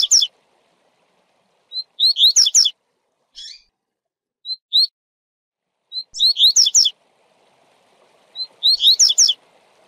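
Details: Double-collared seedeater, a tournament-type caged bird, sings a fast 'tui tui' song of bright, high, twittering slurred notes, bursts about a second long repeated every two to three seconds.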